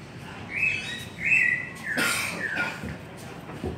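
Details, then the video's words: White-rumped shama song of two bright, sustained whistles followed by a slurred falling note, interrupted by a sharp, noisy click or rattle. "Chim chích chòe lửa hót hay giọng dài"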